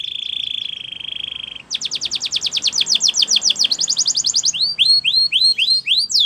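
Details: Belgian canary singing as a training recording to tempt other birds to sing: a steady sustained whistle-like tone, then a quick pulsing trill, then loud repeated swooping notes.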